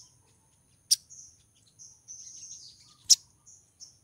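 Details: A female crimson sunbird in breeding condition calls to lure a male, giving high, thin twittering chirps and a longer buzzy trill between two sharp, loud clicks.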